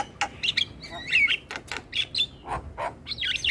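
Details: Starling song played as a lure to draw other starlings and prompt quiet ones to sing: short bright chirps and whistled notes broken by harsh clicks, with a few lower rasping bursts.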